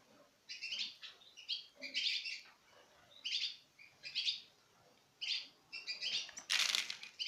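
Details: Citril finches, pairs from 2016 eating from the hand, give bright, high twittering calls in short bursts about once a second, with a brief flurry of wingbeats near the end.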